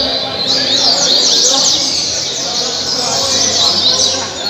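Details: Double-collared seedeater from Angra dos Reis, Brazil, singing caribe style, recorded 2019–2020: quick high whistled slurs and chips in a busy, almost unbroken phrase over background hiss.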